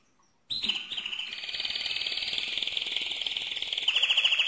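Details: Mosaic canary singing loudly: a sudden start into a fast, even trill that holds a steady high pitch, rolling on and ending with sharper, louder pulsed notes.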